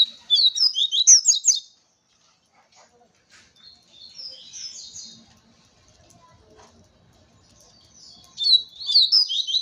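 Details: Double-collared seedeater singing in a territorial challenge: rapid high twittering phrases of quick slurred notes, a bright burst at the start, a softer phrase midway and another burst at the end, with quiet gaps between.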